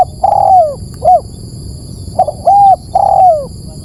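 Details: Lure call of a spotted dove for drawing in birds. Mellow hooted notes come in paired phrases, a brief coo, then a long even one ending in a downward slur, with a constant thin electronic tone behind.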